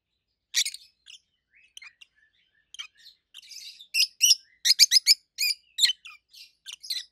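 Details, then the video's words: Pair of adult pet peach-faced lovebirds, red-head green opaline and white-head pallid aqua opaline, chirping loudly; sparse soft notes build into a rapid string of sharp, high, shrill chirps about three to four per second. "Rosy-faced Lovebirds Call Sounds"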